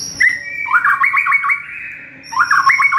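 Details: White-rumped shama singing in the morning as training material for caged birds: a whistled opening note running into a fast, ringing trill, a held tone, then the trill starting again, with a thin high whine in the background.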